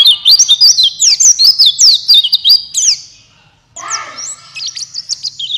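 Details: Buxtoni white-eye (pleci) song in the forest-style 'gacor ngalas' manner, used to stimulate reluctant white-eyes to open their beaks and sing: about three seconds of rapid, high twittering made of sweeping chirps, a short pause, then a thinner burst of chirps over a lower rough undertone.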